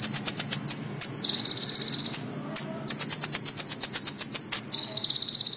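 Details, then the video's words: Common iora song, loud and clean, used for training songbirds: rapid buzzy trills of very high notes broken by sharp, piercing single notes about once a second. "konin volume tembus, bagus buat masteran burung kicau"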